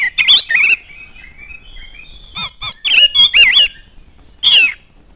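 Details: Oriental magpie-robin in energetic song, used as a lure to start other birds singing: scratchy opening notes, a pause, then quick warbled whistles and a final falling slur.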